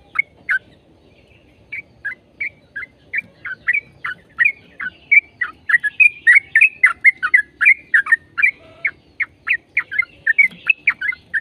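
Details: Yellow-vented bulbul singing a long rapid phrase meant to set other bulbuls singing; starts with spaced, liquid notes, then speeds into a continuous stream of bubbling, slurred chirps.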